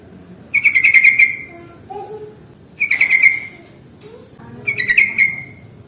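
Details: Sooty-headed bulbul lure recording: three harsh, buzzy chattering bursts about two seconds apart, each a rapid rattle of notes trailing off, with faint low sounds between.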